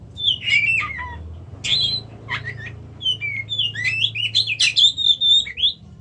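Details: A kacer (Oriental magpie-robin) singing loud, scratchy whistled phrases that dip and rise, in quick uneven bursts, with a soft low hum beneath.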